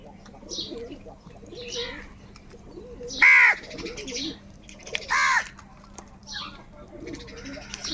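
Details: Crows fighting for food give loud, harsh, hoarse caws, two strong ones near the middle, with fainter rasping calls scattered around them and a low steady hum underneath.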